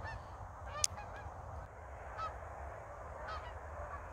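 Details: Geese over North Idaho in a winter with no snow: a few scattered nasal honks, spaced about a second apart, above faint low background noise, with one sharp click early on.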